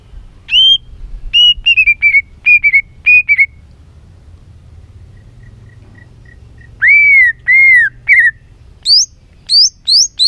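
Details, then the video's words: White-rumped shama song used to stimulate and train birds. Repeated short bright whistles come in groups, then a soft series of quiet dots, then loud arched whistles and rising high notes repeated about once a second. "Kích Chòe lửa hót nhiều giọng"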